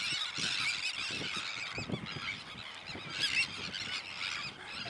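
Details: A chorus of Sandwich terns, grating and screechy cries overlapping continuously, one louder burst near the end, with soft low knocks in the background.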